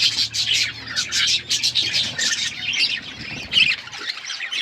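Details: Budgerigars in a flock chirping in loud pulsing bursts of warbled chatter and squawks, over a faint low hum.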